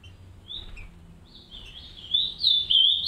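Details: Green-winged saltators kept in an aviary, a pair raising three chicks; one short high note, a pause, then a rising, jittery high twitter that grows louder toward the end.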